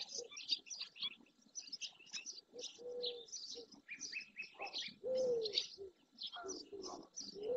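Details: A flock of barn swallows, many juvenile, gathers in early June on the Doñana marshland, Andalusia, Spain. Thin high chirps tumble in quick runs throughout, while a few lower, slurred tonal notes sound in the background.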